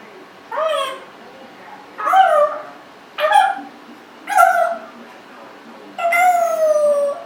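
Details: A 1.5-year-old pet Congo African grey parrot vocalizing: five drawn-out, tonal, whining notes, each bending down in pitch, spaced about one to one and a half seconds apart, the last one longer and steadier.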